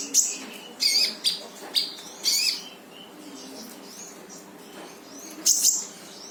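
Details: Lively brown-throated sunbird in full tembakan song, used to coax a quiet bird into singing: quick groups of high, thin chirps early on, then a pause, then a final pair of sharp, piercing notes.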